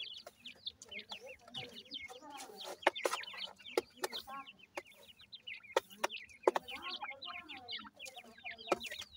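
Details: Grey francolin chicks feeding, a crowd of short, high, down-slurred peeps tumbling over one another, with sharp clicks and taps scattered through and a low hum underneath.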